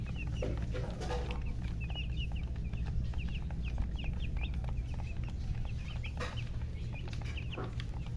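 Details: Colored chickens chirping: a steady stream of short, high, sweeping peeps repeated several times a second over a constant low rumble of background noise.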